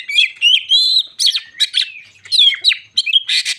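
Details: Provoking song of a white-crowned shama aimed at other shamas: clear, looping whistles and quick slurred notes, ending in a burst of harsh, buzzy chatter.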